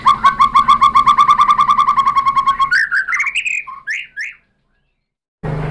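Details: Song of a white-rumped shama intended to stimulate other birds: a fast, even string of fairly low rich whistled notes, slightly speeding up, then a few higher rising phrases before silence and a brief burst of noise.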